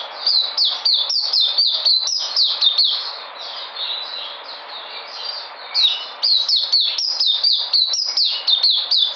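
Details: Energetic white-eye (puteh) song from 13 February 2020: fast, high-pitched twittering of clipped downslurred notes, about two per second, easing briefly mid-clip and then resuming strongly.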